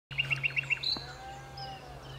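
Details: Common nightingale singing at Alners Gorse in Dorset: a rapid series of five or six loud repeated notes, then a sharp high note and a long thin whistle, over a steady low hum.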